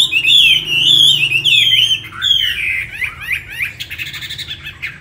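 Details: Chinese hwamei, a tame cage bird from Hà Nội, Vietnam, delivering rich fluid whistles in quick looping phrases, then softer, choppier rising and falling notes after the midpoint.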